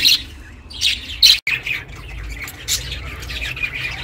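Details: Budgie kept as a pet chirping for budgies that live alone; brief sharp squeaky chirps and a short soft chatter, with a quiet hum underneath.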